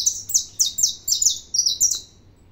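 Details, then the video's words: Saffron finch singing a lot, a loud close burst of eight quick, high, slurred chirps in a steady string that stops abruptly, with little background noise. "canário da terra 315 cantando muito"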